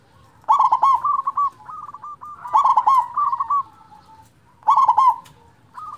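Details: Strong-voiced local zebra dove song meant to provoke silent zebra doves: three loud rolling bursts, each followed by a trail of quick staccato coos at a steady pitch, with soft low background noise.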